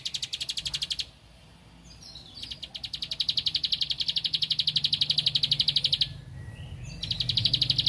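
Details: A bar-winged prinia singing intensely as if seeking a rival gives rapid, high buzzy trills of quick repeated notes in long bursts with brief pauses, over a faint low hum.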